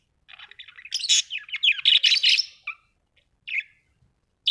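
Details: Household budgies warble a dense, rasping jumble of chirps and buzzes that builds to a loud, continuous stretch, then breaks into a few isolated notes.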